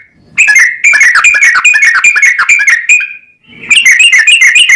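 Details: Yellow-vented bulbul in vigorous long rapid 'ropel panjang' song, used as a lure to provoke other bulbuls into singing; loud bubbling run of short notes with a brief pause, then another burst of chattering phrases.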